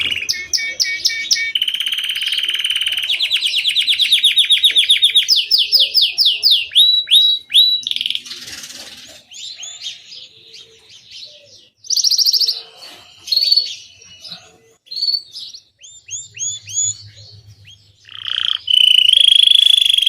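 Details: Extended domestic canary song mixing fast buzzy trills, rolling runs of rising notes, sharp chirps and sweeping whistles, delivered in bursts with short gaps, closing on a long, loud ringing trill; a low hum appears briefly near the end.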